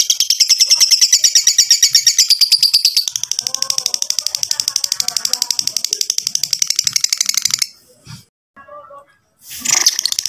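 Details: Lovebird giving a long ngekek, a rapid, buzzy, high chattering trill that runs steadily for over seven seconds, used as a prompt to get other lovebirds singing. A brief pause follows, then the trill resumes.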